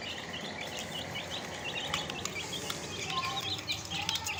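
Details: Many fresh chicks calling at once: dense, overlapping, high-pitched cheeps over a steady background hiss, with occasional soft taps and rustling.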